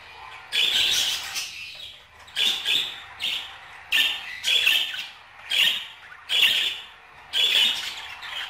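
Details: Budgerigars chattering in a steady run of about seven raspy, warbled bursts, each half a second to a second long, with brief pauses between them and no other sounds.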